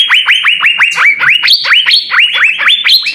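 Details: Asian fairy-bluebird (cucak biru) singing, one of six birds recorded to train other songbirds: dense, lively string of loud whistles, each sweeping sharply upward then flattening, about three per second, some notes higher pitched.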